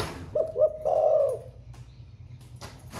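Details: Spotted dove kept in a cage, song style thổ pha, newly in voice and singing all day: a pair of short coos leading into one long low coo, then quiet with faint taps.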